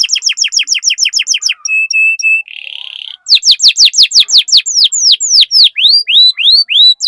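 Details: Lively canary song meant to prompt other canaries into singing: quick downslurred whistles, a few short even notes, a brief buzzy rattle, then a long run of loud sweeping notes slowing into spaced curved whistles.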